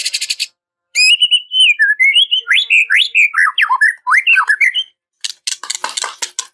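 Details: White-rumped shama in rich song meant to call and provoke a rival. A short trill leads into a long run of loud, varied whistles, with steep up- and downslurs in quick succession, and ends with dense buzzy notes.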